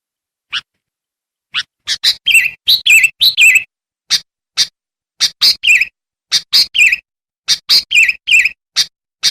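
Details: Sooty-headed bulbul singing briskly, played to call wild bulbuls. Isolated chips build into quick pairs of sharp notes joined to short rolling whistled warbles, repeated in uneven bursts.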